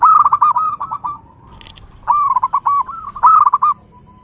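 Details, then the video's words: Zebra dove singing two phrases of quick, bubbling coo notes, each a rapid stutter of rising and falling notes, separated by a brief pause with a faint high chirp. "SUARA Mp3 Burung Perkutut"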